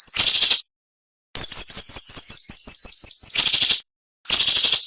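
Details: Cinnamon-bellied flowerpecker, sharp 'nembak' song used as training material: a loud hissing burst, silence, then a quick falling-stepped series of very high thin notes, followed by two more harsh bursts.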